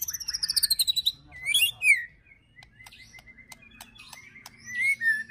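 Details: White-rumped shama ketrekan with cililin and prenjak fill-ins, used to provoke birds: a quick descending high trill, sharp swooping notes, then a sparse run of clicks and a final chattering burst.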